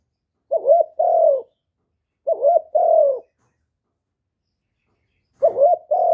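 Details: Vietnamese spotted dove calling and cooing to urge newly caught doves to sing; three phrases of a short wavering double coo followed by a longer soft descending note, separated by silent pauses.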